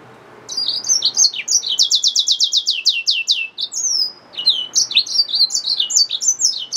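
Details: Hybrid finch, a yellow-fronted canary mule, in full song: high twittering notes lead into a fast rattling trill of clipped repeated elements, then varied sweeping whistles and chirps, delivered continuously with brief pauses, no other sounds evident.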